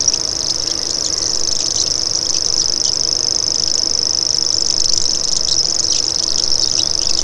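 A common grasshopper warbler reels without a break, a high, dry, insect-like trill that runs steadily for the whole stretch over a faint low rumble.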